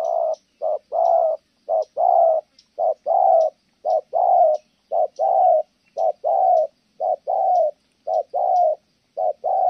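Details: Long run of low, even coos from a spotted dove in Kon Tum, thổ âm style: short note then longer hoot, repeated regularly about once a second; soft high chirps in the background.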